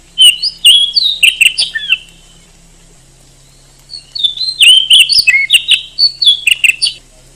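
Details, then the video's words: Kacer, or oriental magpie-robin, a songbird often entered in contests in Indonesia: two rich phrases of fluty whistles, slurred glides and high ticking chirps, the first lasting about two seconds, then a pause before a longer run; steady faint hum. "SUARA BURUNG KACER TOP"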